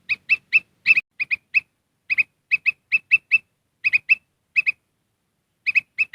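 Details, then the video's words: Black-crested bulbul (kutilang emas) lure call to attract wild birds: clear, bright doubled chirps given in small clusters of two to four. Short silences separate the clusters. "Suara Pikat Kutilang Emas"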